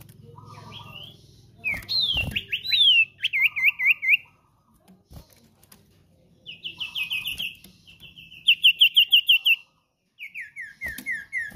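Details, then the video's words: Energetic common iora song for training and luring cage birds: bursts of quick descending whistled notes and buzzy trills in several phrases, briefly interrupted by a click and pauses, over faint background hum. "Sirtu/Cipoh GACOR Cocok Untuk Masteran/ Pancingan Burung Anda"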